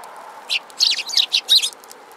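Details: Sparrows gathered at food scattered on the ground give a quick burst of bright, high chirps, several short notes overlapping over about a second against a quiet background.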